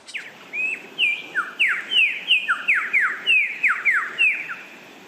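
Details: Lyrebird, the Australian mimic, delivers loud, clear whistles that slide sharply downward, repeated about three times per second in a steady ringing sequence with occasional shorter rising notes.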